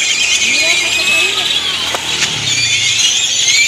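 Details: A dense flock of great-tailed grackles noisily gathers to roost in Indian laurel trees in Granada, Nicaragua, flying in and settling with high squeaky whistles and sharp rising squeals over faint voices and passing traffic.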